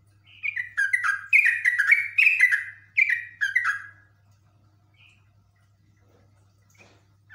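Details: Yellow-vented bulbul, agitated and in full persistent song: a rapid chattering run of about a dozen bubbly, downward-slurred notes lasting some four seconds, then near silence with faint low hum.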